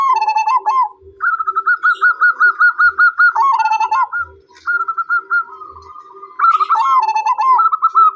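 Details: Zebra dove repeating crisp coo notes in long, regular trains at about two per second, broken by lower rolling phrases; a faint low hum and scattered soft thumps are also heard.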